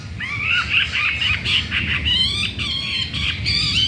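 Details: Newly arrived wild-caught Chinese hwamei, caged just four days and already wanting to breed, unafraid of the resident birds. It sings repeated loud whistled phrases, some wavering and some sliding, over a low background rumble.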